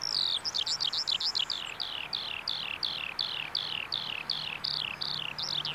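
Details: Skylark song recorded at a bulb farm in Saanich, B.C., a continuous stream of fast, slurred high notes, each dropping in pitch, delivered roughly three per second with light background hiss.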